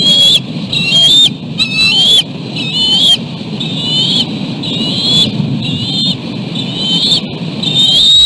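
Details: Eagles at their nest, one carrying a large fish in its talons and chased there by the other, which then eats it: thin, high whistled calls repeated roughly every second over a steady low rumble of wind or traffic.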